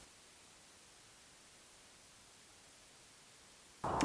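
Faint steady hiss for nearly four seconds, broken at the very end by a sudden loud burst of noise.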